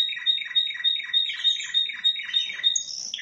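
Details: Spanish timbrado canary from Indonesia singing a rapid series of repeated descending chirped notes, about three per second, over a steady high ringing tone, ending in a brighter trill.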